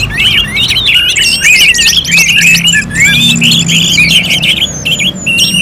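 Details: Orange-headed thrush from Singaraja, Bali, in steady rapid song: a flowing string of warbled, twisting whistles and sharp chips, nearly continuous throughout.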